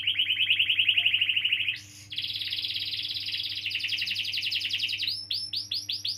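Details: Canary in a long roll meant to coax young or silent canaries to sing: a quick rippling trill, a short harsh burst, a sustained dense rolled passage, then looping upward-sweeping syllables repeated about four times a second, over a low hum.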